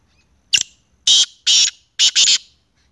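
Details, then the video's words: Black francolin giving its harsh, grating call: a short click, then two rasping notes, then a quick pair, all within about two seconds. "kala teetar ki awaz kala teetar Sounds"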